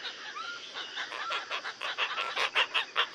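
Asian openbill giving rough, honking notes in a quickening series of about ten bursts; faint rising whistles from another bird underneath.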